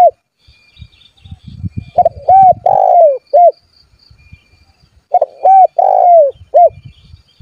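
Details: Persistently calling spotted dove, used to call rivals so they sing and to lure wild doves closer: two cooing phrases about three seconds apart, each a clipped double note, a smooth coo, a long rough falling coo and a short final coo, with faint low rustling.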